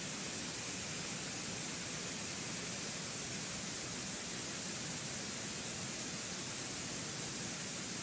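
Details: Continuous hissing static fills the whole stretch, with no animal sound.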